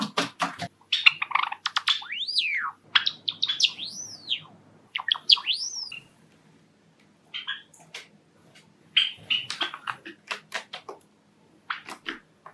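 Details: Courtship song of a male pet Java sparrow kept indoors with other Java sparrows: rapid dry clicks and chips mixed with arched, rising-then-falling whistled notes, ending in scattered short chirps after brief pauses.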